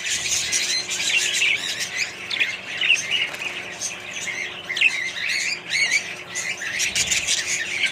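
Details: Budgerigars in a mixed colony with other parrots fill the air with busy, overlapping twittering, scratchy warbles and bursts of sharp chirps, loudest near the end.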